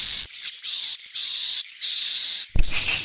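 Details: Swiftlet roosting call, played to lure swiftlets to roost in a three-storey house: drawn-out, thin, high whistled tones about half a second long, repeated with short gaps, ending in a burst of hissy chatter.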